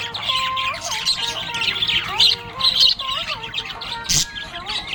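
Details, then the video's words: Happy budgie chirping: continuous busy high warbling and chatter with scratchy squeaks, over steady tonal music notes in the background. "Happy budgie chirping sound"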